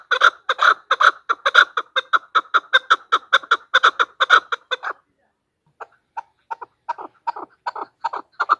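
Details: Hunting-lure recording of a female chukar: strong, rhythmic chuck calls for five seconds, a short silence, then softer clucks that gradually strengthen again.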